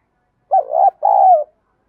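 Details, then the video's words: Single coo phrase from a spotted dove (cu gáy) of the 'giọng đồng' style, meant for training decoy birds: a husky rising-and-dipping note, then a longer smooth hoot that slides gently downward. "cu gáy giọng đồng. thúc gù, tiếng gáy gọi, giúp anh em tập mồi và bổi hiệu quả nhất hiện nay"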